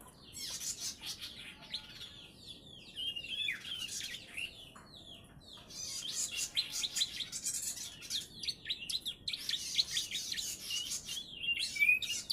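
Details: Three-month-old bar-winged prinia tutored with ciblek song, delivering a long run of high buzzy trills and sliding chirps, louder and denser in the second half.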